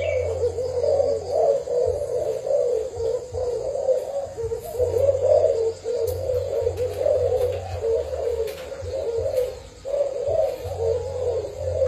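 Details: Long sequences of soft, deep cooing from a decoy spotted dove of Thai origin, in phrases broken by short silences, over a low humming noise.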